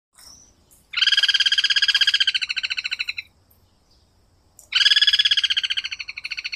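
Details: Guira cuckoo (Guira guira) singing: two loud, buzzy, rapid rattling trills, each about two seconds long. The first fades slowly and the second begins after a short pause, over a quiet background.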